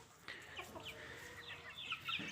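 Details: Dakhni teetar (grey francolin), a newly acquired bird: a short run of clucking, chicken-like notes, then sharper high squeaky calls toward the end, over a steady low background hum.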